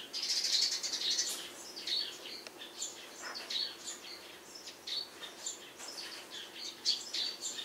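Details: Cheerful chirping of Eurasian tree sparrows on a house roof at morning, rapid irregular high twitters and tweets, several notes per second with brief louder flurries.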